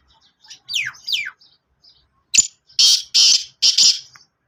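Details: Sindhi black francolin gives a loud grating call: two thin descending notes, a sharp tick, then three harsh buzzy rasping notes delivered in a rapid, slightly uneven series.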